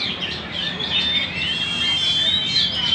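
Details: Magpie-robin singing actively in Banjar: high, sweet whistled phrases with thin sustained notes and quick chirps, continuous over steady background hiss.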